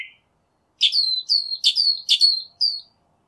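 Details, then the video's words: Northern mockingbird song: one short note, a pause, then a rapid run of five sharp, high chirping notes with a sliding tail on each. "Northern Mockingbird Song, Sound, Voice, Call, Melody - Sinsonte Canto - Mimus Polyglottos"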